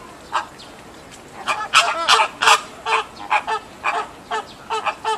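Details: American flamingo chick no. 1, on its second day after hatching, Ueno Zoo, 28 June 2014: nasal, goose-like honks with a rich, buzzy tone in irregular bursts, about two or three per second.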